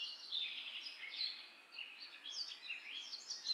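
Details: Common myna, also called Indian myna, giving quick chattering chirps and short whistled notes that overlap, high-pitched and fairly faint, with steady background hiss throughout.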